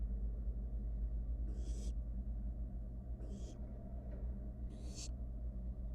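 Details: Wild barn owl nestling in a research-monitored nest box while eating a mouse, giving three rasping, airy hisses, each under half a second, spaced roughly one and a half seconds apart, against constant low electrical hum.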